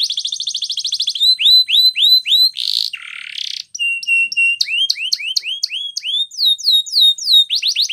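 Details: Canary performing a training song: a rapid trill, then looping upswept notes, a short harsh buzzy burst, and a mix of flat piping tones and quick repeated sweeps.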